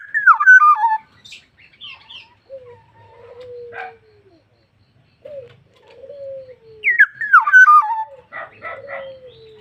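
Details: Black-naped oriole in full song: a loud, falling, twisting whistled phrase, low slurred whistles, then the same phrase again, followed by rasping nasal notes.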